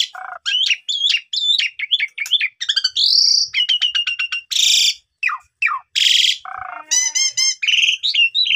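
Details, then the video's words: Asian pied starling, young, singing a dense medley: wavering whistled phrases, a long buzzy slur, loud harsh rasps, and a quick stuttering trill near the end. "Jalak Suren Paud Macet Tidak Mau Bunyi Langsung Gacor Bongkar Isian"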